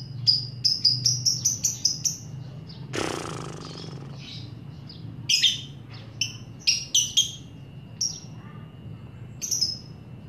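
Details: Lovebird calling on a recording meant to provoke other lovebirds into ngekek song; a quick run of high squeaky chirps, a brief burst of rushing noise, then irregular sharp chirps over low hum.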